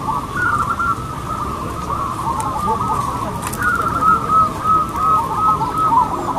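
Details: Competition singing by local zebra doves: steady overlapping mellow coos, with a louder sequence of rhythmic rolling notes in the second half, against a continuous murmur of the crowd of birds.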